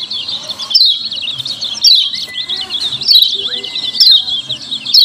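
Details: Lemon-bellied white-eye lure calls ('ciak ciak'): continuous high, scratchy chirping broken by loud bursts about once a second, with two level whistles drawn out in the middle.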